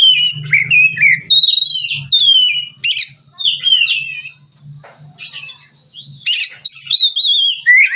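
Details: Relaxed song of a white-rumped shama, used as a lure for training other birds: loud descending whistles and sharp chips in a steady flow, with a low steady hum underneath.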